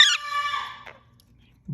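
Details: A pet male monk (Quaker) parakeet, being petted and talked to, gives a harsh, rich-toned call that slides down and ends in a brief rasp.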